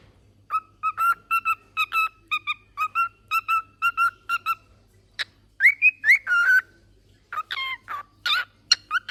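A cockatiel sings a run of short repeated whistles, then a burst of rising, warbling notes.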